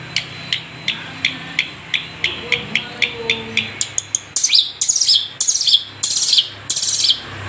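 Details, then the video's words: Long-tailed shrike of the Madura type, a cage-bird tutor recording. A series of sharp, high ticks about every third of a second gives way to loud, harsh, buzzy bursts, each roughly half a second long. "masteran Burung Cendet Madura Full Durasi"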